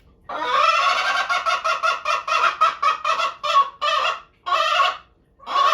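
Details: Pet Araucana hens calling loudly as their owner passes the coop, begging to be let out for a walk. The calls are loud, harsh and nasal, repeated rapidly in short bursts with a few brief pauses.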